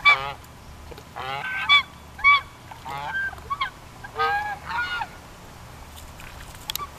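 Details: Geese calling at a ranch on a high hill: scattered brief nasal honks and clucks early on, fading to quieter gaps toward the end.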